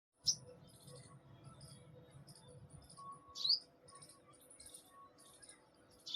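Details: A sunbird near a home terrace garden in the morning gives three sharp, very high chips, about three seconds apart, with thin twittering in between and faint low background rumble.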